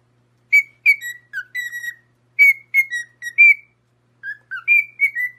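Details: Parrot singing sweetly; clear pure whistled notes in short groups, slurred upward and downward, with brief pauses between phrases in a quiet setting.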